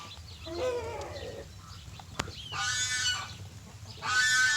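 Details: Morning chicken crow: a strained, harmonic call slides downward, then two harsh, broadband bursts follow, each about a second long, with a sharp click between them.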